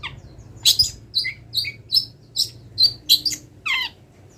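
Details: A moulting long-tailed shrike sings a song stuffed with wild-bird imitations, repeating sharp high whistled chips about twice a second. It ends with a harsh descending scratchy phrase, over a faint low hum.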